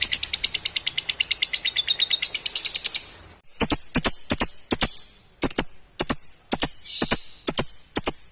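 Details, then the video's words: Bird call meant to make lovebirds respond and chatter: a fast series of sharp, high ticking notes sliding slightly downward, then a slower run of loud, clipped, high double-toned chips repeated about every half second. "Panggilan burung ini manjur bikin lovebird cepat respon dan ngekek"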